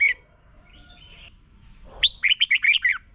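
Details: Red-whiskered bulbul, Thailand, song played each morning to help young birds learn: after a brief note and soft faint chatter, a quick, rhythmic string of six bright, warbling whistles.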